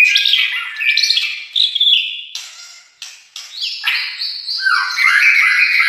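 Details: Energetic song from an albino or blorok white-rumped shama in Indonesia: rapid, high whistled and buzzy notes, a couple of sharp clicks, then a long jumbled, twittering phrase.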